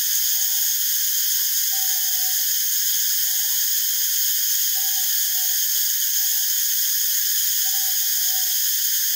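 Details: Northern boobook of subspecies totogo, foraging and preening, gives a run of low, slightly wavering hooted notes in loose pairs every second or two, set against a loud, constant shrill insect-like drone.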